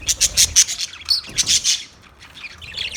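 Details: Budgerigar chirps close and clear: a fast series of sharp, high ticking notes, then a squeaky rising warble, fading into softer chatter toward the end.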